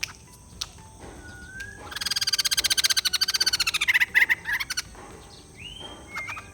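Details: A prolonged rapid cackling chatter from a white-crested laughingthrush that slides into lower, fuller notes toward the end, framed by a few thin upslurred whistles before and after.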